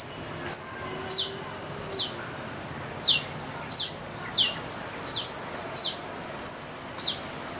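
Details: Sunbird calling with an odd sound likened to a chick; a steady series of about eleven high, sharp notes, each sliding quickly downward, spaced roughly 0.6 seconds apart against constant hissing noise.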